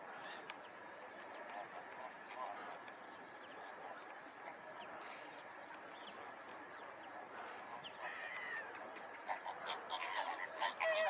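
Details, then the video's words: A flock of greater flamingos (Phoenicopterus roseus) gives a steady, overlapping chatter of goose-like honks and grunts, with louder calls breaking through near the end. "Greater Flamingo, Fenicottero rosa (Phoenicopterus roseus)"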